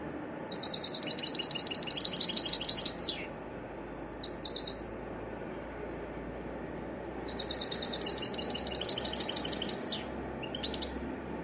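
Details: Wild European goldfinch singing a varied song: two long bursts of rapid, high, tinkling twitters and trills, separated by a quiet gap holding one brief chirpy phrase, against a steady low background hiss.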